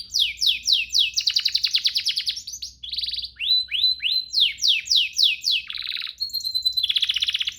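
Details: Training master song of a canary: chains of fast descending chips, a pause, level whistled slurs, a buzzy low tour and a long steady whistle, closing with a rapid trill.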